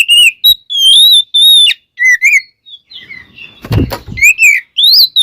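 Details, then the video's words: Oriental magpie-robin (kacer) singing to provoke other birds: long clear wavering whistles in phrases, a burst of rustling noise near the middle, then more bright rising whistles. "Suara Burung Kacer Gacor Full Isian, Pancingan Kacer Gacor Agar Cepat Emosi"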